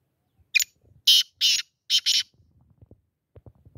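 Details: Loud rasping call of a black francolin, five scratchy notes in a quick lead-in-then-pairs rhythm, followed by faint low rumbling and handling noise near the end.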